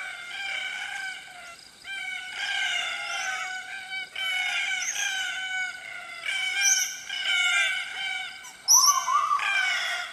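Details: Red-tailed black cockatoos (Calyptorhynchus banksii) in woodland on the Atherton Tablelands, Queensland, tropical northern Australia, give harsh, grating, rolling screeches about every two seconds, several birds overlapping, with Pacific Koel, Scaly-breasted and Little Lorikeet calls in the background.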